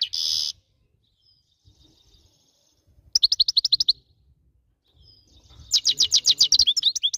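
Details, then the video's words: Goldfinch song in two bursts of rapid, high twittering notes repeated several times a second, separated by near silence, opening with a short harsh noise burst; faint low rumble underneath. "Best song goldfinch"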